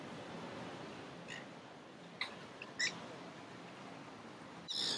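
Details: Wild feral Nanday parakeets, a flock feasting in crape myrtle trees in downtown St. Petersburg, Florida. A few faint, scattered harsh squawks break the steady background hiss, then a louder rasping screech bursts out near the end.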